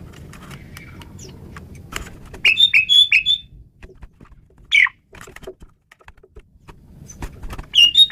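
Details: Asian pied starling singing as tutor material for songbirds: quick runs of bright whistled notes and a squeaky downslurred call among clicks and a rumbling background.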